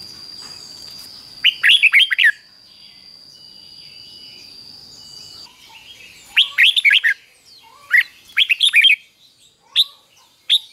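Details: Caged red-whiskered bulbul singing the Thai 'double' (เบิ้ล) song style, phrased fik-jik-fok, played for young birds to copy. Four bursts of bright, quick warbled notes, with a steady high whine during the first five seconds.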